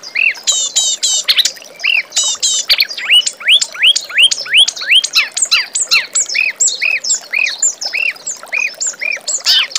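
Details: Reed warbler song used as a master song for training young magpie-robins: fast, varied chattering with repeated upward-arched whistled notes and sharp high ticks, delivered in quick bursts without pause.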